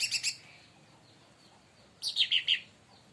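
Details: Agitated leafbird (cucak ranting), provoked by another bird, gives two short bursts of sharp, high, descending chirps separated by a quiet pause.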